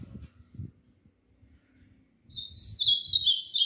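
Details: A caged ultramarine grosbeak, put outside in the sun around 6:30 in a flight cage with a second songbird nearby, sings a bright, high warbled phrase of slurred whistles that wavers and dips; a low voice and soft thumps come first.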